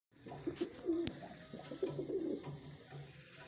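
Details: Wild pigeons kept by a breeder: soft, low cooing phrases in short bursts, with a sharp click partway through and faint background hum.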